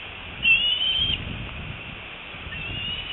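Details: Young bald eagle that fledged that morning, squeeing with excitement as it returns to the nest after 6.5 hours away, 25 February 2018, 4:08 PM EST; one thin, high, slightly rising whistled squeal lasting under a second over steady background hiss.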